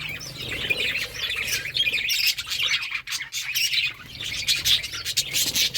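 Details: Pet budgerigars eating fruit chatter in a steady stream of high, scratchy chirps and squawks.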